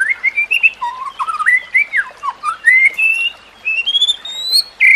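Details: White-rumped shama training song: a continuous flow of clear whistled phrases rising and falling, ending in higher, drawn-out level whistles.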